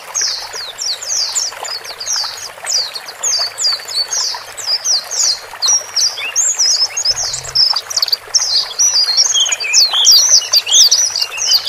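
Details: Male and female white-eyes calling to coax a newly bought bird, taken from a crowded group cage, into settling alone in its own cage; a dense run of high, rapid chirps and thin twittering phrases with short pauses.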